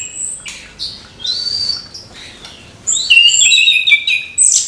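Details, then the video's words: An orange-headed thrush sings in the morning to encourage young birds: scattered high whistles early on, then a louder rush of bright, tumbling notes and trills near the end. "ANIS KEMBANG GEMERCIK SUARA DIPAGI HARI, MENAMBAH SEMANGAT ANIS MUDA BUKA PARUH"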